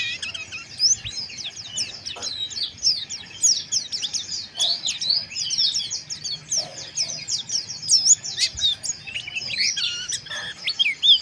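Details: Mountain white-eye in rough, harsh chirping for breeding arousal: a long, steady stream of thin high chirps and twitters, crowded and unbroken, with a few faint clicks.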